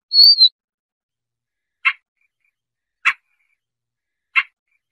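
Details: Siberian rubythroat sounds used for trapping: a high, downslurred whistle opens, then three short dry clicks spaced a little over a second apart, with no background noise.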